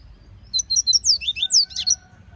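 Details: Double-collared seedeater singing in the bush, a rapid, lively phrase of high, clear slurred whistles, around ten notes in a second and a half, with a faint steady tone behind.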